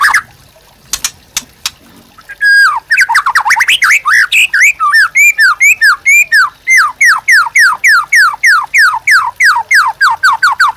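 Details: White-rumped shama master song for training caged birds: after a few sharp clicks, a rich run of whistled notes settles into fast, evenly repeated downslurred whistles, about three or four per second.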